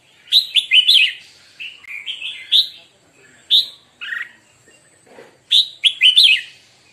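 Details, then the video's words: Red-whiskered bulbul singing during a morning song-training session: short bright whistled phrases of quick rising and falling notes, delivered in clusters separated by brief pauses. "Chào mào hót - Luyện chào mào hót buổi sáng"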